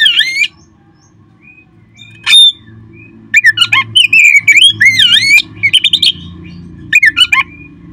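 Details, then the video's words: Kept-bird stimulation recording of an Oriental magpie-robin: opening swooping whistles, a quiet stretch with one sharp note, then a vigorous series of bending whistles and buzzy chatter in tight phrases. "perangsang terb4ik jadikan Kacer Anda nge-play gacor seketika."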